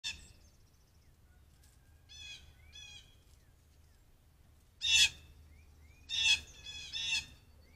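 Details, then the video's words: Wild blue jays calling all around a deck, recorded by a trail camera, with one jay coming in for peanuts: harsh, buzzy, harmonic jay notes in short bursts, some doubled, repeating irregularly against a low steady hum and a few faint chirps. "Blue jays calling all around then one comes in for peanuts"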